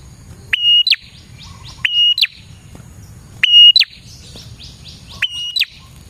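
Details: Lure recording of a chattering prinia: four bright phrases, each a ringing level whistle between a quick rising note and a falling chirp, with a faint low hum underneath.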